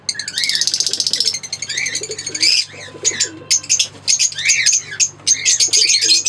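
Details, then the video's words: Green pair of Fischer's lovebirds chirping: dense bursts of shrill, high twittering notes, an opening rapid buzzy trill, then stuttering squeaky chirps with brief pauses, continuous through the recording with a faint low hum underneath. "Singing & Chirping Sounds - Green Fischer Pair"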